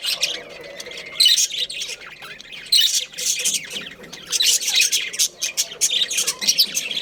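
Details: A breeding pair of budgies, small Australian parrots, giving rapid high squawks and twittering chirps in irregular loud bursts, separated by short lulls of softer chatter.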